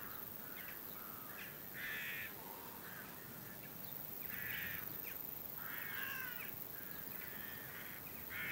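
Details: Western jackdaw (Coloeus monedula) flock before a storm gives short, sharp, overlapping 'tchak' calls in scattered bursts every few seconds over a steady background hiss.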